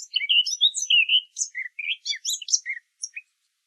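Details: Common blackbird singing its fluty song in open hornbeam forest along a woodland path, morning chorus: a rapid run of warbled, fluty notes mixed with high, squeaky twitters, about three seconds long, with no other sounds.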